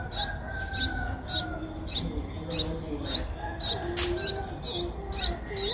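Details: Nestlings of Streak-eared Bulbul, eight days old, Ubon Ratchathani, Thailand, April 2023, give a run of about ten high squeaky upward chirps roughly every half second, one loud click midway, soft low rumble behind.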